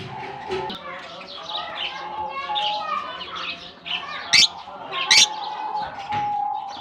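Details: Lovebirds released into a colony at the start of the summer season, giving shrill, irregular chirps with two sharp, loud high-pitched bursts near the end, over a background of softer chattering from the flock.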